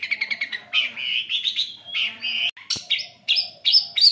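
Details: Long-tailed shrike singing as a lure for reluctant shrikes: rapid stuttering chips open into longer buzzy, warbled phrases, then sharp whistled notes and squeaky high slurs, busy and varied throughout.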